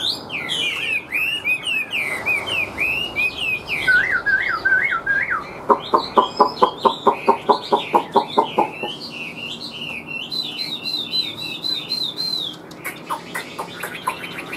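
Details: Caged Chinese hwamei with yellow legs and bill, singing with tail flicks: twisting whistled phrases, then a quick series of harsh, rhythmic clucking notes, then more high whistling.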